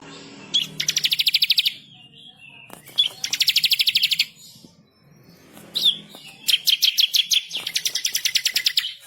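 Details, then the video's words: Bar-winged prinia, a lively singing bird, in long fast rattling trills of sharp repeated notes, each burst about a second long and opening with a high chipped note, separated by short pauses. "burung MASTERAN ciblek kristal gacor // ngamuk ngotot ngerol nembak pedas"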